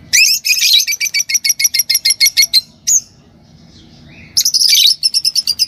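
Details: Green Fischer's lovebird pair chirping: fast rhythmic volleys of shrill, piercing notes, several per second, broken by a lone rising squeak and a short pause before the rapid chatter resumes.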